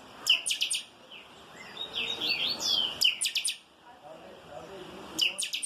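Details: A chopi blackbird gives its song in the 'calçada baixa' style: clusters of rapid clicking notes alternate with bright, slurred whistles, repeated several times in a few seconds against a quiet background.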